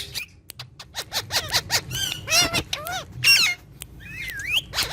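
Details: Green talking parrots interacting with each other; a busy mix of short clicks, harmonic squawks and rising and falling whistled notes, with a curling whistle near the end.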